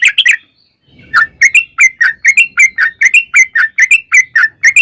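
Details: Sooty-headed bulbul singing energetically in the long 'ropel' style used to provoke other bulbuls into song: a few chirps, a short pause, then a steady run of bright, slightly warbled notes, roughly three per second.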